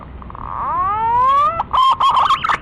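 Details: Green pigeon male calling to a female, played as a lure: one long, clear whistle that swoops up and levels off, then quick fluttering, bubbling whistled notes.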